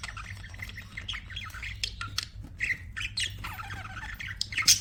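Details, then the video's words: Budgerigars chirping: dense overlapping warbles, squawks and clicks, several birds calling at once with sharp bursts throughout, over a low steady background hum. "BUDGIES CHIRPING SOUND"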